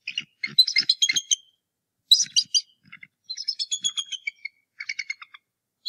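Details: Defending its nest against a returning intruder, a bald eagle on a nest camera, Decorah North Nest, morning of 2 March 2018. Shrill staccato chatter runs in several rapid strings of sharp, high notes separated by short pauses.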